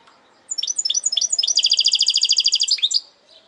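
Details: Hybrid goldfinch delivering its segmented song: bright, downward-slurred twitters speed into a long, dense run of buzzy pulses, closing with a few sliding notes.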